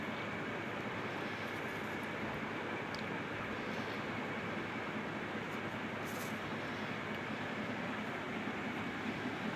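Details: Constant broadband roar resembling a passing train continues for the whole recording, and no animal voice is clear.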